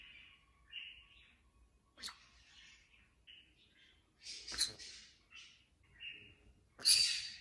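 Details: A pet black-capped conure gives soft, high chirps and warbles broken by a few harsh, grating screeches, spread unevenly over several seconds.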